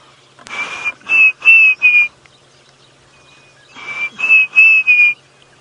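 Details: Diederik cuckoo heard on an African game reserve during a sunset safari drive on 28 November 2017 gives two bursts of clear, high whistled notes, four or five to a phrase, slurred upward, over a soft rushing background.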